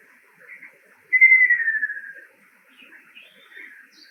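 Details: Male Ruddy kingfisher singing: one rolling, pulsed trill that slides gently downward and trails off toward the end, lasting about a second, with faint higher chirps scattered before and after it.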